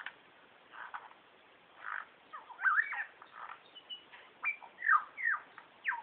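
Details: Superb lyrebird male behind bushes mimicking other birds and sounds such as kookaburra, whipbird, whistlers and magpies; loud varied whistles, downward slurs and rising notes with short gaps, growing louder toward the end.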